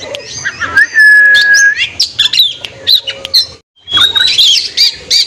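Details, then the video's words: Oriental magpie-robin singing in the afternoon, meant to provoke rival birds and to lift young or low-spirited kept birds; loud, varied phrases of sharp chirps, a long steady whistle and quick rising and falling notes, with a short pause near the end. "SUARA KACER SORE HARI MEMANCING MEMANCING EMOSI MUSUH"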